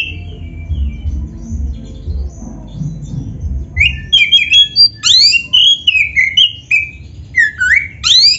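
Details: Black-breasted oriental magpie-robin song used to make other magpie-robins start singing: quiet start, then a fast series of sharp rising whistles and drawn-out descending notes, strongly varied and loud.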